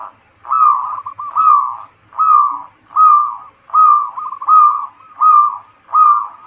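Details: Zebra dove; song; used as a lure to stimulate other doves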